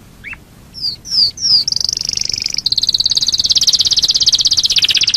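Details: Domestic canary lure song to make other canaries sing: a brief rising chirp, three loud high falling whistles, then a long fast high-pitched trill that rolls steadily to the end.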